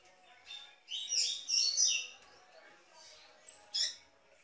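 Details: A double-collared seedeater sings a clear, strong, complete tui-tui song, used for warming up and training seedeaters: bright, high twittering phrases with quick chirps, in a dense burst then short separate notes.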